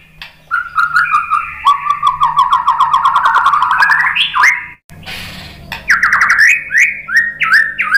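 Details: White-rumped shama song intended to provoke other shamas: a long run of quick, stepped whistled notes climbing gradually, a brief noisy break, then separate upslurred whistles repeated at short intervals.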